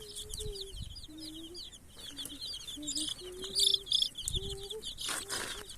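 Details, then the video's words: Colored baby chicks peeping in a group: rows of high arched chirps, with several longer low level tones between them and a loud rustling burst near the end. "baby chicks crying,baby chicks chirping sounds"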